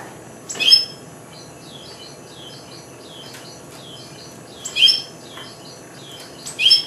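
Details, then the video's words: Four-month-old goldfinch hybrid, recorded in 2009, that has just started to sing: three loud, bright, high chirps spaced a few seconds apart, with soft, thin, twittering high phrases running between them. "Mixto jilguero, 2009 Hybride de chardonneret"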